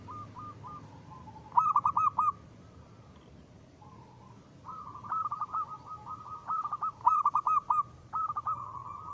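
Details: Local zebra dove in full lively song meant to lure other birds: low trilling coos that run into quick stuttered note clusters, a pause midway, then a long rolling phrase.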